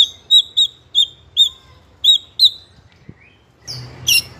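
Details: Young trotol White-rumped shama of fighter type singing continuously to provoke other young birds: six clear high chipping whistles at irregular intervals, a soft low slur, then a harsh buzzy burst.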